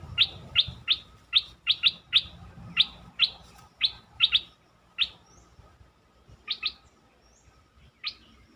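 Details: A bulbul recording played to excite birds gives sharp, bright chirped notes, singly or in quick pairs, roughly every half second with brief pauses, over a faint steady hum.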